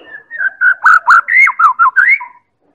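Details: White-rumped shama from Medan singing as a lure for other birds: loud phrase of about eight looping whistled notes, each dipping in pitch, ending on a rising slur.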